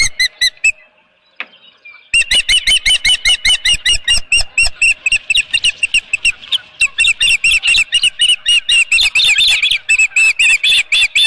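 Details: At the Dunrovin Ranch nest during a fish delivery, 23 April 2018, 9:38 am, an Osprey gives a few chirps, falls quiet for over a second, then launches into a long, insistent run of rapid whistled chirps that grows more ragged and intense.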